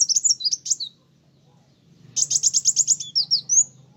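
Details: Sunbird (kolibri wulung) in full song meant to provoke other birds: a brief cascade of shrill chirps, silence, then a rapid trill of evenly spaced high notes closing with thin rising whistles.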